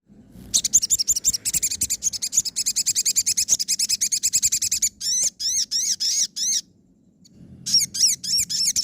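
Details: Crimson sunbird (sogon) song of the nembak and ngobra styles, recorded as training material for caged birds that stopped singing: long bursts of rapid, high, sharp chirps repeated quickly, then separate hooked, sweeping notes after brief pauses.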